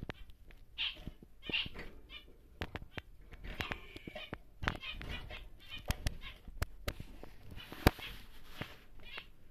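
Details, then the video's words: Large normal grey male zebra finch, a caged breeding bird: a few buzzy, nasal harmonic notes near the start, then scattered sharp clicks and cage knocks with fainter nasal notes. "BİG Zebra Finch (NG) Normal Gri Male"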